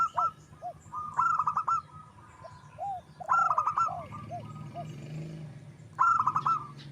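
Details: Wild local zebra dove singing, used as a lure to attract other birds. Short bursts of rapid, staccato cooing notes, with a few lower separate coos, repeat about every two to three seconds over a steady low rumble.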